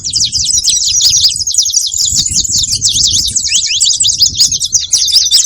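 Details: Saffron finch chatter of quick, shrill chirps and twitters running without pause, with muffled low rumbling noise underneath.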